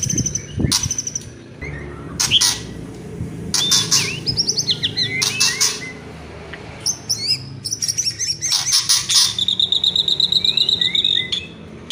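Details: Murai batu, the white-rumped shama, in kretekan and whistled song: rasping bursts alternate with sweet slurred whistles, ending in a long rapid trilled series of high notes.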